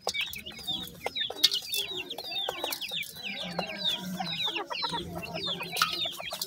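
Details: A brood of new Grey francolin chicks chirps busily, with many short falling whistles in quick succession, some sharp taps, and a low background murmur.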